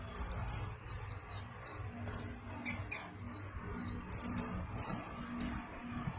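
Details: Kept sunbird singing energetically in the bursting style of a konin: very high, thin notes in rapid clusters, alternating with short steady piercing tones, repeated with brief pauses between them.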